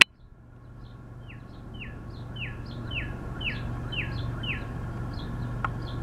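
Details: A male Northern cardinal, singing loudly in spring, gives a run of about eight clear, down-slurred whistles, roughly two per second, with faint high notes between them over a steady low hum.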